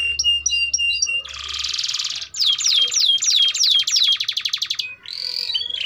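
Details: Vigorous canary song for teaching young canaries: repeated paired whistled notes, a dense buzzy roll, evenly spaced falling slurs about five a second, then a brief warble.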